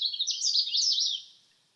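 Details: A Canada Warbler in Alberta sings one quick, jumbled burst of high, twittering notes that rise and fall for just over a second, then fade; each bird's learned song differs slightly from others'. No other sounds are heard.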